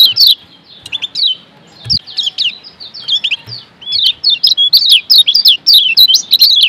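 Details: Lombok yellow white-eye, a training song used to make sluggish kept birds sing vigorously, from Lombok: rapid high twittering of thin downslurred notes, sparse at first, then dense and continuous through the second half.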